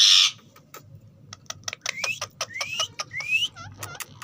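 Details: Rose-ringed parakeet, a green ringneck parrot: a loud harsh burst, then a run of clicks and ticks with three rising whistles in a row, ending with short chirps.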